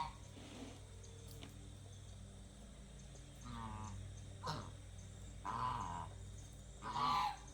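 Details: Penned domestic geese at feeding and water-changing time give three or four separate nasal honks spaced a second or two apart, rising in loudness, over a constant low mechanical hum.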